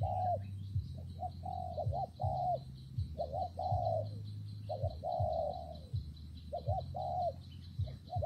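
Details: Spotted dove cooing during rainy, windy weather, giving rhythmic groups of short paired coos and drawn-out falling notes, roughly forty per minute, over a steady low drone and a faint high-pitched background tone.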